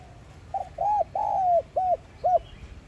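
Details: Spotted dove with the 'giọng son' voice style, calling to stir decoy birds into cooing. Five hollow, arched coo notes, the third long and drawn out, over a soft murmur of background noise.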